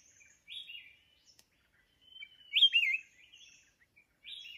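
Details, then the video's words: Wild mountain red-whiskered bulbul answering at a decoy trap, giving bright, bubbly warbled phrases with a loud looping note near the middle and a thin level whistle, separated by brief pauses. "Chào mào núi bẫy đấu"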